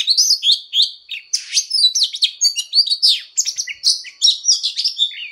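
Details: Voice-training fighting song of an Oriental magpie-robin: bright looping whistles alternating with buzzy, scratchy notes, delivered in fast overlapping bursts.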